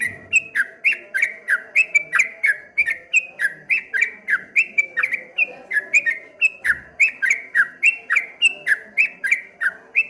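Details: Streak-eared bulbul in the rapid 'ropel ngombak banyu' song style: a fast, unbroken run of short, slurred whistled notes, roughly three or four a second, rising and dipping like waves, with sharp clicks above and a faint low hum beneath.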